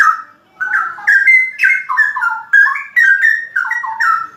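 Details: Cucak rowo (straw-headed bulbul) in full ropel song, pouring out rich, warbling whistled notes in rapid bubbling sequences after a brief opening silence.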